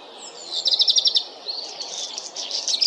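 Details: Black redstart song: a high, fast crackling rattle of tightly packed notes, followed by a looser run of scratchy, twittering notes at similar pitch, with quiet background.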